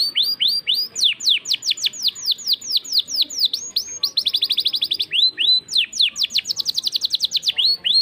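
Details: Loud, continuous canary song, 'cengkok mewah' variation, with long runs of sharp falling whistles that alternate with very rapid rolling trills and a few rising sweeps.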